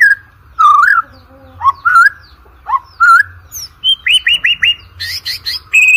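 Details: Song of a white-rumped shama for training competition birds: upward-slurred whistles spaced irregularly, followed by a fast series of bright clipped notes and high chattering phrases.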